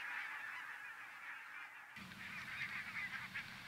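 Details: Arctic barnacle geese by the thousands during migration through central Finland, massed yapping honks in a constant din; midway the sound shifts abruptly, becoming nearer and fuller with a low hum beneath the chorus.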